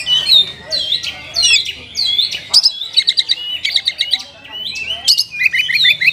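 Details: Oriental magpie-robin (kacer) singing rich 'isian' phrases to stimulate lazy caged birds. Varied high whistles, sharp upslurs and rattling chirp series alternate throughout.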